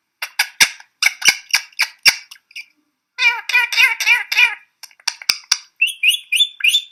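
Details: Olive-backed sunbird making lots of noise while being petted: rapid high-pitched, insect-like chattering notes in quick bursts, a wavering trilled run, then sharp repeated chirps.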